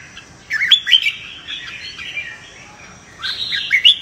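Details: Red-whiskered bulbul fighting song used for training: an opening flourish of sweet whistles, a quieter trailing warble, then a fresh loud phrase near the end.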